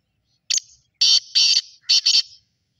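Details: Black francolin call in clear detail: one brief sharp note, then a pair of long rasping, buzzy blasts and a second, doubled grating phrase, loud and dry with no other sounds.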